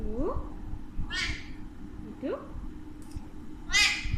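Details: Two pet Alexandrine parakeets that talk in Urdu and Hindi. Harsh, raspy screeches come near 1.2 and 3.8 seconds, with lower rising, voice-like tones in between and soft room noise.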